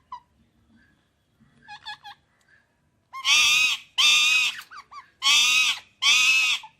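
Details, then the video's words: Indian ringneck parakeet starting with soft, quick chirps, then breaking into four loud, harsh screeches about a second apart. "Amazing Parrot Chirping Sounds"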